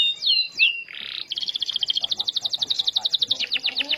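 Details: Starblue canary song used as a lure to stimulate other canaries to sing: two high whistled downslurs, a brief harsh buzzy burst, then a long rapid rolling trill of clear repeated notes that lasts nearly three seconds.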